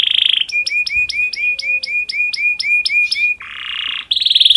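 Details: Canary in breeding condition, singing to stimulate other canaries: a short buzzy trill, then about a dozen rising chipping notes at roughly four per second, a harsh broad buzz, and a fast closing trill.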